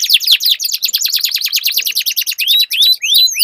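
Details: Canary song duel between caged birds used for training; fast continuous rolling trill of buzzy repeated notes, ending with a few clear rising whistled slurs.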